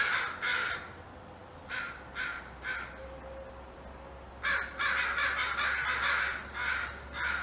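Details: Anxious territorial alert calls from crows in a fight over food: grating caws in clusters of two and three, then a dense burst of overlapping caws, with a steady low hum beneath.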